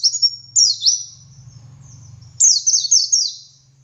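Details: High, quick cascades of down-slurred notes from a dakun white-eye singing ngalas style as a training model for other white-eyes. Two phrases with a soft low hum between them.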